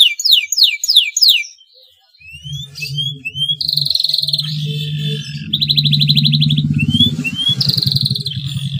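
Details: Breeding male canary chirping to prompt rival birds to sing. A quick run of falling whistles gives way to buzzy trills and rising notes over a steady low humming drone.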